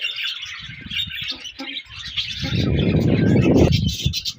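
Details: Colony of budgerigars chirping together: dense overlapping high chatter and warbling, with a loud low rumble swelling through the second half.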